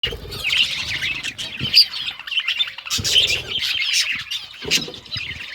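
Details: Budgerigars chirping while eating green food: a busy, warbling chatter of high twittering notes runs throughout, with brief sharp clicks and pecking noises from feeding mixed in.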